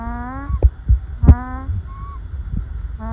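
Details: Happy ducklings dozing in a huddled pile in the sun make a gentle humming call. Two drawn-out rising notes are heard, with soft thumps and a low background hum.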